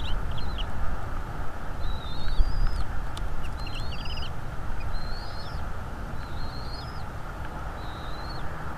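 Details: Bald eagle calling at a nest in northeast Florida, February 2, 2022, 17:17, on a nest camera. A string of thin, high whistled notes, each rising then dropping at the end, repeats about once a second over a strong, steady low rumble.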